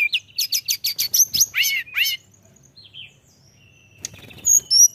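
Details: Mountain tailorbird in lively song: a quick series of high stacked chips followed by loud descending swoops, then near silence broken by faint thin notes and a final pair of high whistles.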